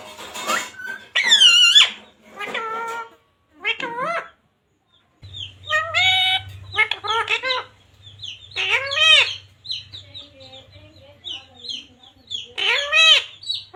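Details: Parrot speaking devotional phrases and mummy papa; a long series of rising and falling harmonic syllables in clusters, voice-like and nasal, with a low steady hum through the middle section.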